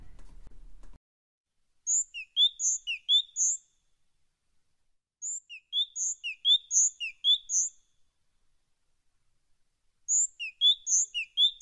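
Great Tit singing three bursts about four seconds apart, each a quick run of bright two-note phrases alternating high and lower, after a brief low rumble.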